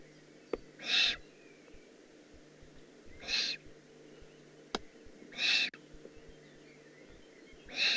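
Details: Juvenile Eurasian eagle-owl in the Eifel, 18 June 2016, giving four harsh, hissing rasps, each about a third of a second long, spaced roughly two seconds apart against a quiet background with faint clicks.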